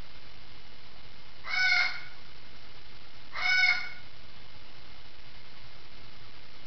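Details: Indoor parrot squawking in an adjoining room, two loud rasping calls close together near the start, then only a quiet constant background hum.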